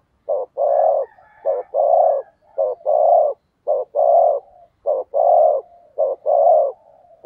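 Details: Spotted dove used as a decoy bird, cooing to lure wild doves. Low, mellow hooted coos come in pairs, a short note then a longer one, repeating about once a second in a steady series, with a faint thin whistle behind.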